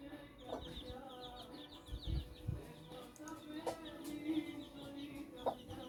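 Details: Silver Laced Wyandotte chicks, 13 days old, eating cooked fish alongside a hen that follows and feeds with them; a quick run of faint high peeps early on, then a few scattered short calls over a steady low droning tone.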